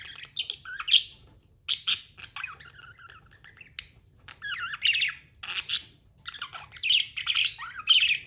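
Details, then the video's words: Pet budgie warbling and squawking, loud harsh bursts mixed with rippling warbled phrases and brief pauses, low hum underneath. "Amazing budgie chirping sounds"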